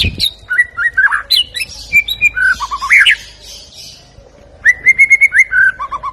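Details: White-rumped shama from Medan in full song, a loud varied run of clear whistles, slurred and rising notes and short trills, breaking after a pause into a steady whistled phrase that falls into low repeated notes.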